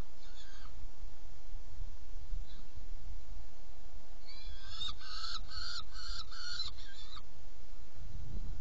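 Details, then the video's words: Saker falcon calling at its nest box during a feeding on 17 June 2018, 10:31. After a quiet start, a quick burst of about six grating, rasping notes follows, with a constant low hum beneath. "Kerecsen fészekdoboz 2018.06.17. 10:31 etetés"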